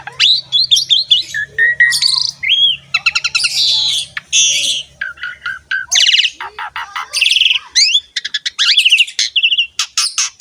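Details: Training song of an Asian pied starling, meant to prompt other birds to sing: dense jumble of squawks, buzzy rasps, chattering trills and short whistles, nearly nonstop, with a faint low hum early on.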